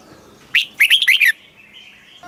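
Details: Stimulating song of a caged red-whiskered bulbul, southern Thai master style for teaching young birds: one rising whistle, then a fast jumble of four liquid, slurred notes, followed by a faint thin whistle.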